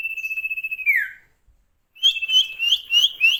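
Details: Sirtu bird in full, lively song: a sustained pulsing high whistle ending in a downward slur, a pause of silence, then a run of short rising whistled notes repeated rapidly over a steady tone.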